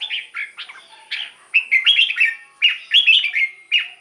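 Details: Red-whiskered bulbul in a cage, its song meant for decoy use or to rouse other birds: chirpy, slurred phrases in short bursts, some notes doubled, with irregular gaps and a quiet steady background.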